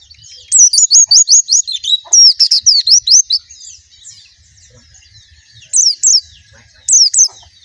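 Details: Quick series of high, loud swooping whistles from a white-eye, repeated in two bursts over about three seconds, a quiet gap, then two short separate whistled phrases.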